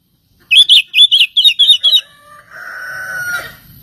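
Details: Oriental magpie-robin song, used as a lure to provoke other magpie-robins into singing: a quick run of about eight sharp, bright, chirped notes in pairs, then fainter drawn-out whistled tones over soft background hiss.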